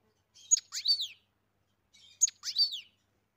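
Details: Two short, matching goldfinch phrases about 1.7 seconds apart, each a sharp high chip followed by a slurred, downward-sweeping twitter, recorded on a farm with silence between.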